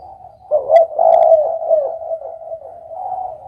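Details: Spotted dove giving a low, throaty coo phrase from about half a second to two seconds, then fading into a soft, continuous hum of cooing.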